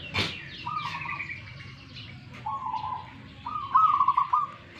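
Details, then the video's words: Local zebra dove from Tuban, East Java, described as fighting. It gives three steady mid-pitched cooing notes, the last one trilled and loudest, with a person softly urging the bird to sing. "PERKUTUT LOKAL ALAMM TUBAN JAWA TIMUR.LAGI TARUNG"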